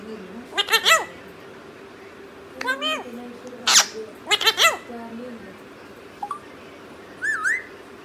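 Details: Parrot speaking Punjabi indoors: clusters of hoarse, harmonic, chattering syllables, one sharp noisy burst, and a short upward-curling whistle at the end, over a steady low hum.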